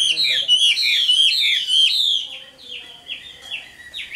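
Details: Caged Chinese hwamei of wild origin delivers rapid descending slurred whistles in a fast rolling series, then softer, lower drawn-out notes trailing away.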